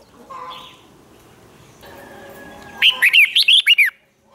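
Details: Red-whiskered bulbul giving contest song meant to provoke newly caught birds into singing back; after a quiet, faintly noisy start, one loud burst of six or seven rapid warbled, slurred notes near the end.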